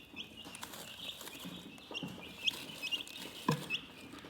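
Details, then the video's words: Soothing chicken chirps form a continuous high, twittering stream with a couple of brighter peeps and low soft clucks beneath. "Chicken Relaxing Soothing Chirping Sounds"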